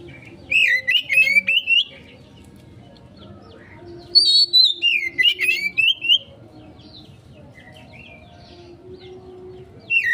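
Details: Lure song of the Oriental magpie-robin (kacer) in konslet style, to provoke a response: two strings of rapid, bright whistled and warbled notes sliding up and down, separated by a pause over a low background hum.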